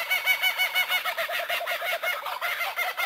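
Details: Kookaburra chuckle, a sound likened to human laughter: a quick even run of short, throaty, repeated notes, about three per second, rising and falling gently in loudness.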